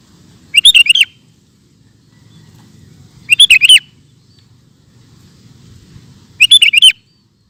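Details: Sooty-headed bulbul in ropel style repeating the same quick phrase three times, each a tight run of about five bright whistled notes, roughly every three seconds, over a faint low hum.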